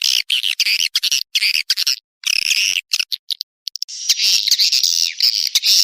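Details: Swiftlet lure sound named Manuk Ireng 01, used to attract swiftlets: dense, rapid high twittering chirps in quick bursts separated by short silences, then a sustained unbroken stretch of buzzy chattering near the end.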